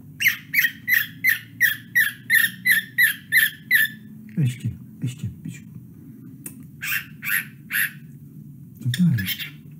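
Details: Pet male cockatiel singing indoors to his little shoes: about twelve bright, evenly spaced chirping notes, roughly three a second, then a pause and a looser run of short chirps over a steady low hum. Someone laughs.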